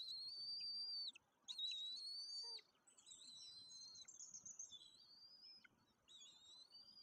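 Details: Young white-tailed eagles, two growing chicks, at the nest in Woziwoda on 9 May 2024 during feeding time. Thin, high whistled notes of about a second each drop away at their ends, followed by shorter wavering whistles over faint forest background.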